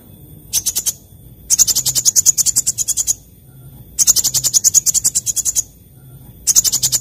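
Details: Sunbird singing briskly in the morning: repeated bursts of fast, rattling, very high notes, each burst lasting one to one and a half seconds, separated by brief pauses, steady and insistent.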